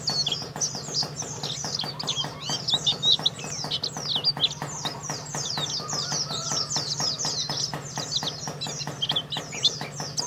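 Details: Prize-winning contest white-eye from Karawang, Indonesia, giving a long, unbroken, high-pitched chatter of quick swooping chirps, with steady clicking and a low hum behind.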